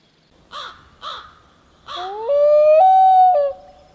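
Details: Common loon on a lake in Maine: three short, harsh notes give way to a long, pure, mournful wail that steps up in pitch and holds for nearly two seconds before dropping at the end.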